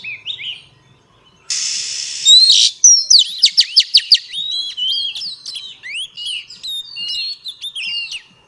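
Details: A female Oriental magpie-robin sings to rouse males. A brief rushing noise comes first, then a series of quick sharp ticks and slurred whistles flows in a steady, varied stream.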